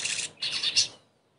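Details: Crested jay (sogon) lure song used as therapy to get a bird that has stopped singing to sing again; two short bursts of dense, harsh, high chattering, ending abruptly after about one second.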